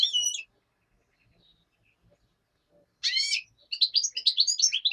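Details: Daytime song of a black-headed goldfinch, with a common nightingale in the background: a bright twittering phrase, a long pause, then a buzzy trilled burst followed by rapid, tinkling, high-pitched twitters.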